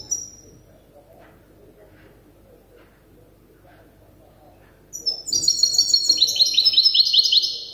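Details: Goldfinch hybrid youngster in the song-memorising stage: after a long quiet stretch, a fast burst of bright, high repeated chirps descends in pitch over nearly three seconds.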